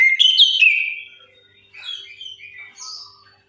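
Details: Orange-headed thrush song meant to coax silent birds into singing: a loud opening of rich whistled notes, then softer varied twittering phrases with a short gap between.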